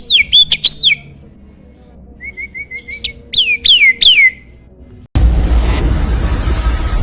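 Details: Champion starling singing as a training master for contest birds: sharp downward-sweeping whistles and a short row of level notes, then a sudden loud rush of broadband noise covers the last two seconds.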